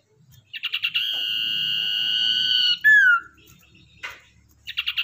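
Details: Lure-bird common iora, caught in the wild and tamed, gives a run of quick clipped notes, then a sustained flat whistle of nearly two seconds that drops into a sliding downward note, followed by more clipped notes.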